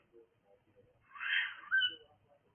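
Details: A cockatiel lets out a harsh raspy screech lasting about half a second, followed by a sharper higher note, with quiet background murmurs.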